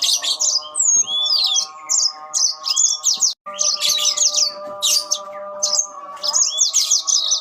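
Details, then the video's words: Yellow-fronted canaries trading song phrases: repeated high, quick warbled bursts and short rising whistles separated by gaps, with a momentary silence partway through. A constant humming drone sits below. "burung mozambil saut sautan"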